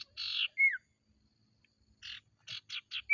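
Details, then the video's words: A harsh buzzy burst and a quick downslurred whistle from an Ashy tailorbird, then a pause and a run of four short rasping notes; lure sound meant to make kept tailorbirds react. "Burung sirtu konslet gacor"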